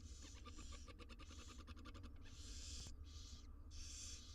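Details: Wild barn owl nestlings, six of them, being fed inside a monitored research nest box; rapid clicking taps and rustling run through the first half, then long breathy hisses rise over a steady low hum.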